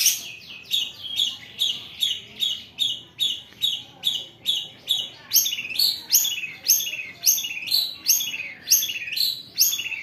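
Long-tailed shrike giving harsh, scratchy high notes, repeated steadily about twice a second, some with a sharp downward slur.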